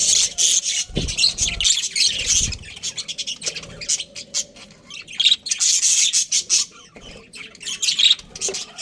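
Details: Budgerigar breeding pair from Australia chattering: dense scratchy chirps and harsh squawks in uneven bursts, with occasional low thumps and quieter gaps.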